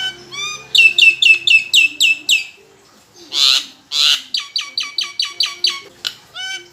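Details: Captive Nias hill myna in lure song meant to get other birds singing: fast runs of loud ringing chirps, a pair of harsh noisy squawks in the middle, then another rapid chirped series and a rising whistle.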